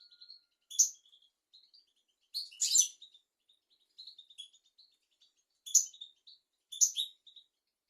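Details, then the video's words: European goldfinch tutor song for young goldfinches and canaries: sharp, bright chirps and short jangling clusters scattered through, with faint thin twitters in between and a quiet background. "تغريد طائر الحسون"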